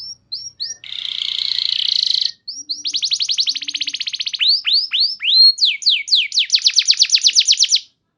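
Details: Canary song played to lure other canaries into singing: short opening notes, a dense buzzy roll, then a rapid even trill, swooping whistles, and a final run of quick falling notes.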